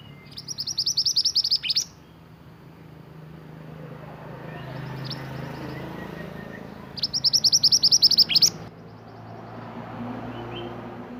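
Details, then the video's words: Pied bushchat, an Indonesian native bird, in active song for tutoring caged songbirds: two separate trills of rapid piercing high notes, each under two seconds and about five seconds apart, over steady low hum. "BURUNG MANTENAN GACOR UNTUK MASTERAN"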